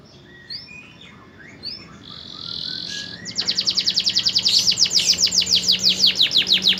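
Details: Promising canary in song: a few scattered soft chirps and a short buzzy note, then a loud rapid trill of repeated sharp notes building steadily in volume to the end.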